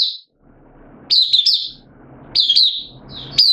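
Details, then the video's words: Caged oriental white-eye, hobby bird, 8 September 2022, form dipped slightly: a few short, high, downslurred chirps in small clusters with quiet spells and faint hiss between. "Mata Puteh Kitaro Buka Sing"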